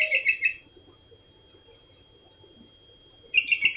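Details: Bright, gurgling whistles from a sooty-headed bulbul calling without pause: a rapid phrase of four notes, a quiet stretch, then another four-note phrase repeating the same bubbly pattern.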